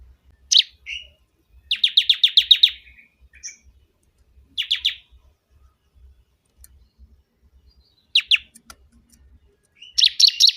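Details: Bar-winged prinia singing loudly, meant for training songbirds or lure trapping: scattered sharp notes, short buzzes and several rapid rattling trills of high chips separated by pauses.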